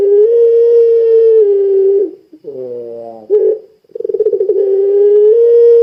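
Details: Puter pelung dove calling to set off other doves: a loud sustained low coo, a brief falling warble, a short pause, then a pulsing coo that smooths into another long held tone.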